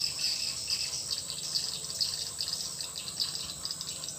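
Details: Swiftlet lure call newly installed in a swiftlet house: dense, rapid high chirps and twitters, about two per second, over a steady high-pitched hiss that runs throughout.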